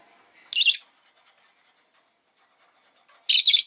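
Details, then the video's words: Rosy-faced lovebird (Agapornis roseicollis) giving two harsh, shrill shrieks, one early and one at the end, separated by nearly three seconds of quiet. "Lovebird Chirping Sounds"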